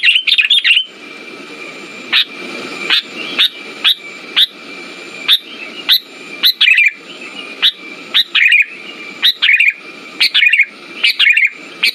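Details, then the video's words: Sooty-headed bulbul song used as a lure to stimulate silent birds: bright, sharp chirping notes repeated in quick bursts, each a short sweeping whistle with a steady thin tone running underneath. "Pancingan burung kutilang macet"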